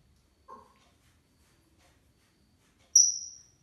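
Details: African grey parrot (Psittacus erithacus) making bedtime sounds: a brief, soft low chirp, then about two seconds later a loud, very high, piercing whistle that falls slightly and fades.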